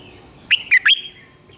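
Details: Red-whiskered bulbul singing at dawn-time practice for training birds: a single quick phrase of three loud whistled notes, dropping then rising sharply.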